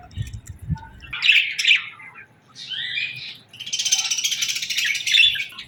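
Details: Budgerigars, or parakeets, in the morning: short bursts of bright chirps, then a longer, busy warbling chatter of rapid high notes lasting nearly two seconds.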